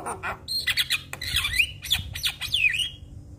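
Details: Singing jalak kebo, or Javan myna, heard to make other mynas join in: grating squawks and rapid descending and rising whistled slurs in quick succession.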